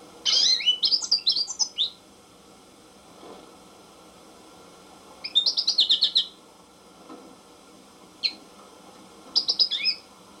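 An American goldfinch sings high, twittering phrases of quick warbled notes and sweet slurs, in bursts of one to two seconds with pauses and a lone chip between.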